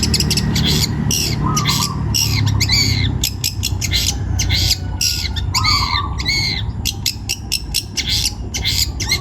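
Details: Long-tailed shrike, a young bird taken from the forest, singing loudly: dense run of harsh squawks, chattering bursts and short rising whistled notes, with a low droning hum underneath throughout.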